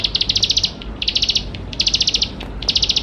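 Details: Lively bar-winged prinia song, full of varied fill-in notes, used to prompt young birds to start singing; four clean, rapid-fire bursts of high, sharp repeated notes in three seconds.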